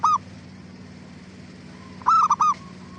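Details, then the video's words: Zebra dove song meant to make other doves answer: a single coo, a pause with a faint distant coo, then a quick phrase of three staccato notes over a low hum. "Suara Gacor Burung Perkutut Paling AMPUH pancingan BURUNG PERKUTUT CEPAT BIKIN NYAUT"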